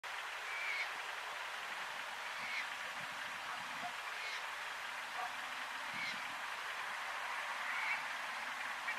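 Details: White-winged coot in Argentina, March 2022, giving short, clipped calls, one roughly every two seconds, against a steady hiss of wind or water.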